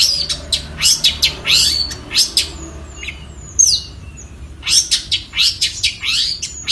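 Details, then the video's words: Long-tailed shrike singing a mix of scratchy, harsh bursts and thin, high whistled notes. The bursts come in quick clusters, with one longer gap in the middle. "kicau cendet dengarkan sendiri kicaunya"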